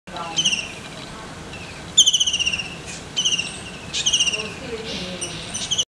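White-throated kingfisher giving loud, shrill chattering rattles in short bursts about once a second, each a fast series of harsh, high notes, over faint background hiss.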